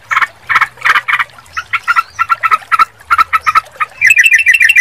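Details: Sooty-headed bulbul song: rough, buzzy notes repeated quickly at first, then clearer, short mid-pitched phrases, ending in a fast, high, chattering run. Faint low rumble underneath.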